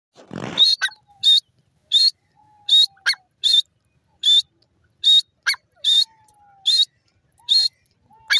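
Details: Grey francolin calling, loud harsh bursts repeated at a steady pace, a little over one per second, with a faint low whistled note drawn out between some bursts and a short noisy thump at the start.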